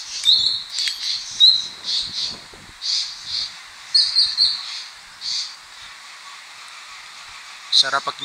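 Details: Wild birds heard in Bucari Pine Forest, Philippines, beside a mountain road: a run of high chirping and twittering phrases, then a pause, then a brief burst of chirps at the end.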